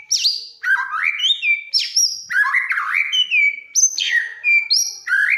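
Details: White-rumped shama in full song, said to prompt other birds into singing: loud, varied, rich whistles jumping between high and mid pitches, with sweeping slides and quick chirps in a nonstop flowing stream.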